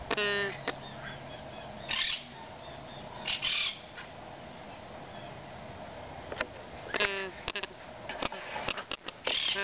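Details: Young Yellow-naped Amazon chicks giving harsh, rasping squawks in short bursts, some with a stacked buzzy quality, separated by quiet gaps and a faint steady background hum.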